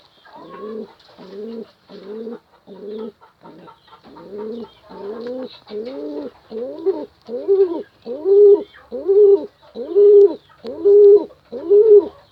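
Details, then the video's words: Pigeon calling a female with a long regular run of about seventeen low coos, each slightly arched in pitch, repeated roughly every seven-tenths of a second and growing louder toward the end. "Suara Burung Merpati panggil betina"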